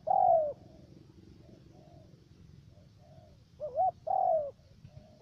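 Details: Spotted dove decoy bird, trapping in the U Minh region of Cà Mau, Vietnam, three-note voice: one long falling coo, faint softer coos, then a loud hooked note and a long slurred coo.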